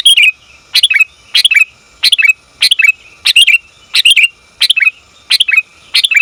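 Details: A female sooty-headed bulbul calls to the male, a sound used for luring bulbuls; rapid string of about nine sharp chirpy bursts, one every two-thirds of a second, each a clipped stuttering phrase sliding downward.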